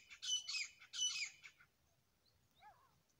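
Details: Grey francolin, a pair calling: two loud, harsh, squawking phrases about half a second apart, each a cluster of grating high notes, followed by near silence with one faint soft note.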